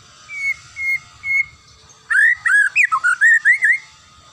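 A magpie-robin gives three clear, level whistles at an even pace, then a rich, rapid warbled phrase of rising and falling notes. A low hum sits underneath.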